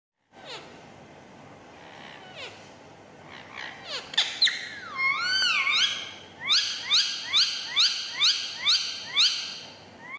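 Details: A pet green rose-ringed (ring-neck) parakeet gives a varied run of calls: a few scattered sharp notes, a squeaky warbling bit, then a quick series of about eight harsh, bright screeches.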